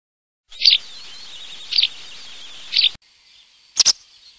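A white wagtail gives sharp, high chirping notes about once a second over a steady hiss, then one more after a short pause.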